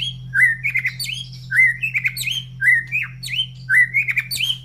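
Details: Captive white-rumped shama, the cage bird singing freely: loud whistled phrases with rising and falling notes and quick slurred trills, repeated about once a second, over a steady low electrical hum.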